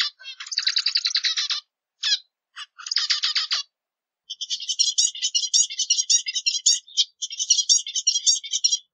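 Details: Zebra finch song opening with a pulsed, rasping buzz and a few sharp clicks. After a pause comes a long, lively string of rapid, high, squeaky chirps. Quiet setting.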